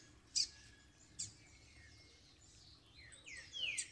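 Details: After moult, a double-collared seedeater sings to stimulate other birds: two sharp high clicks early, a faint thin whistle, then a burst of slurred, sweeping notes near the end.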